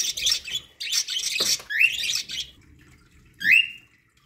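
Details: Budgerigars kept as pets chatter while feeding on corn: rapid raspy chirps, then two short rising whistled calls, one near the end, in a quiet room.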